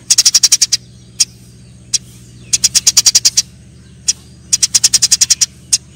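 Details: Eurasian tree sparrows fighting. Quick runs of seven to nine sharp, high chirps alternate with single isolated notes and brief silences.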